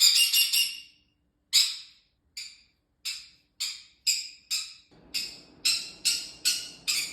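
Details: A pet green-cheeked conure gives about a dozen harsh, shrill screeches in quick bursts, roughly two per second, with a low household rumble in the second half.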